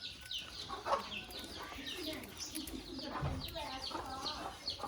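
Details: Caged budgerigars kept with a rabbit, chattering in a dense stream of short chirps and warbled notes, some rising and some falling, with a faint low rumble underneath.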